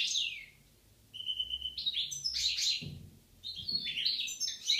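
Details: A pair of European goldfinches in Algeria, 2016, singing: bright twittering notes and a steady whistled tone, with quick descending slurs and liquid trills, high and tinkling, in bursts separated by a short quiet gap.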